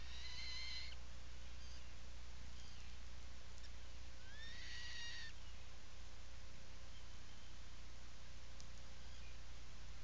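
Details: Atlantic puffin inside its nesting burrow on Seal Island National Wildlife Refuge, Maine, picked up by a burrow camera on 17 July 2018 in the afternoon: two brief harmonic whistled calls, the second sliding upward, over a constant low hum.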